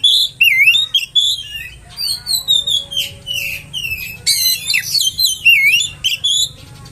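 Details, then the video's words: Oriental magpie-robin song used to provoke rivals: continuous varied whistling with looping slurs, clipped chips and scratchy buzzy notes, growing busier in the middle. "PANCINGAN KACER!! terbukti kacer ANDA AKAN NGAMUK!!!!"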